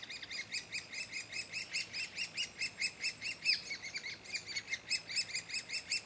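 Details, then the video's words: Repeated rasping chatter from a woodpecker at the nest, short buzzy notes coming about twice a second in an unbroken series, with little else heard. "Okillaren kabian"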